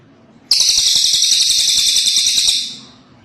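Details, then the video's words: Cililin bird giving a single sharp-onset, high-pitched rattling trill, fast pulses packed into a steady buzz for about two seconds before tapering off, with little else audible. "Suara burung cililin ASLI"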